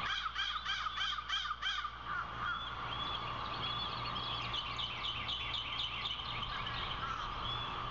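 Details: Osprey at a Savannah nest on April 16, 2021, as the female feeds two newly hatched chicks: a quick run of about six sharp, harsh chirping notes, then softer rapid whistled chips, over a steady low hum.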